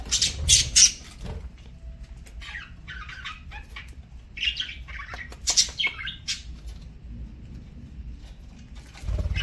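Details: Parakeet at mealtime with scattered scratchy squawks and chirps, a loud cluster at the start, softer broken calls later and a low thud at the end.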